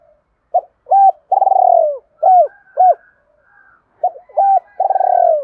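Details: Spotted dove from Đồng Nai, Vietnam, a decoy bird calling to lure wild doves: deep hollow coos in short clipped notes followed by a longer drawn-out falling coo, phrase repeated after a pause.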